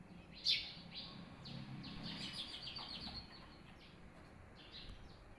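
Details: Birds chirping at a hut: a few short, high chirps scattered over five seconds, one louder note near the start, over a low steady background rumble.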